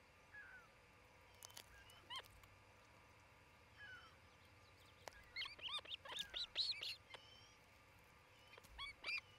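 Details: Osprey at a nest near Charlo, Montana, filmed by nest camera on 27 June 2018 just before noon; bursts of short, high, whistled chirps with sharp upslurred notes, densest midway, over faint steady background hiss.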